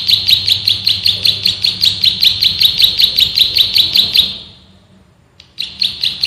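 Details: Male prenjak sawah, a bar-winged prinia, singing as a master recording for training birds: a long run of sharp, high, evenly spaced chirps, tightly packed, breaks into silence, then resumes briefly.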